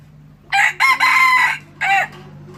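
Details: Red junglefowl decoy bird crowing loudly and clearly: a harsh, broken crow in several rapid bursts lasting about a second, then one short closing note, over a steady low electrical hum.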